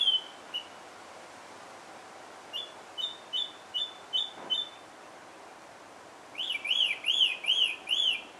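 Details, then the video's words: Song thrush in Alkmaar, Netherlands, delivering typical repeated phrases: a short whistled note given about six times, then a louder arched, ringing phrase repeated five times in rapid series, over light background hiss. "song thrush sings"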